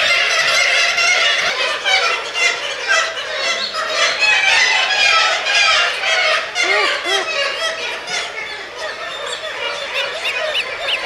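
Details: Black-legged Kittiwakes with their young nesting in a former radar tower on Middleton Island, Gulf of Alaska, May to August 2005: a dense, continuous chorus of harsh, overlapping nasal calls, rhythmic and loud throughout.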